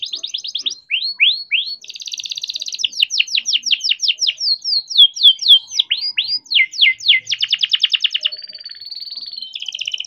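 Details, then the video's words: Young canary raised in captivity singing a long rolling song to encourage other canaries: repeated swooping slurs, rapid trills and a wavering sustained whistle near the end. "KENARI GACOR DOR COCOK BUAT PANCINGAN KENARI BIAR GACOR || KENARI GACOR PANJANG"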